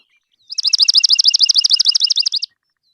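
A Swamp Sparrow sings a bright, even trill of about sixteen sharp, high notes, steadily repeated over two seconds, with nothing else heard.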